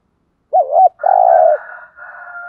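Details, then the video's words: Lure spotted dove calling to provoke rival doves. One phrase of a wavering double coo and a drawn-out husky coo, overlapped and followed by a steady faint tonal hum. "chim cu gáy mồi thúc rút bổi gáy theo rất cao"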